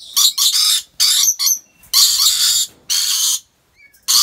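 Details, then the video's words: Rainbow lorikeets in a wildlife park collection in Aceh Besar, Aceh, Indonesia, giving very loud, rasping screeches in long bursts of up to a second, closely spaced, with a faint whistle in a brief lull. "Rainbow Lorikeet Sounds"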